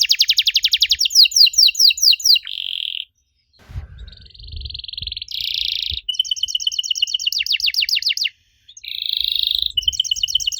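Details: Canary song meant to provoke young canaries into answering: fast trills and buzzy rattles broken by two short silences, with soft low thuds between phrases.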